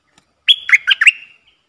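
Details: Caged red-whiskered bulbul used as a decoy to lure wild birds: a short phrase of four quick liquid, bubbling whistled notes, followed by a fading trill and then silence.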